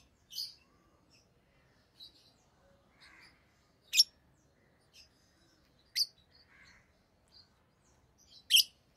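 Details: Rosy-faced lovebirds, including orange-faced green and red-headed green colour forms, utter sharp, thin chirps at intervals of roughly two seconds, mixed with softer chattering notes, in a quiet setting.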